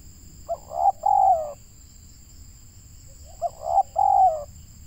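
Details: Spotted dove kept as a local decoy bird for luring wild doves, said to have a loud voice. Two mellow cooing phrases, each a brief opening note followed by a longer throaty double coo, over a faint constant high-pitched hum.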